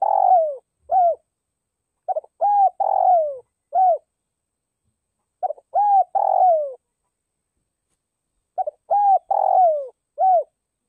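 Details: Calling spotted dove used as a decoy, from Northwest Vietnam: low hooting coo phrases of short notes, a drawn-out descending coo and a closing note, repeated in clusters every few seconds, no other sounds.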